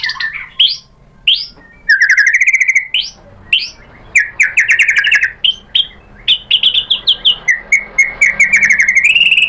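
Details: White-rumped shama, provoked into replying, delivers rapid buzzy notes and whistles, building into a steady fast series of repeated phrases.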